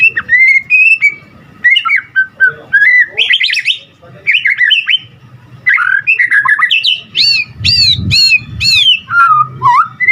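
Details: White-rumped shama singing a varied, full song meant to prompt other shamas to sing: clear whistled phrases around a steady pitch, fluty slurs, a run of high upswept notes, and faint low thumping beneath.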